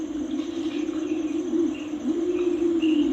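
A deep, low hooting coo from a Torresian imperial pigeon, drawn out and slightly rising near the end, with faint high chirps of other birds behind.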